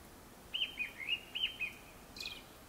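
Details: Before sunset, a Japanese thrush delivers a lively run of five or six varied whistled notes rising and falling, ending in a brief high, buzzy flourish.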